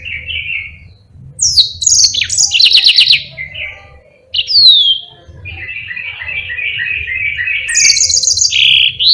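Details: Yellow-fronted canary delivering its long rolling training song for other birds: a warbled opening, rapid high ticking trills and downslurred whistles, a brief silence, then a sustained rattling trill and bright repeated notes, over a faint low hum.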